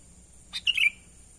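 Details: Sooty-headed bulbul giving its natural call for luring wild birds: a single short burst of a sharp note followed by a bubbling, downward-sliding warble, with a faint high electronic whine behind it.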